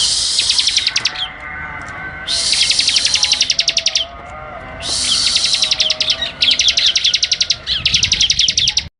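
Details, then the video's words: Bar-winged prinia song for training cage birds: repeated bouts of loud, dry, high buzzy trills mixed with rapid ticking notes, each burst lasting one to two seconds with short gaps between. "Masteran burung ciblek semi"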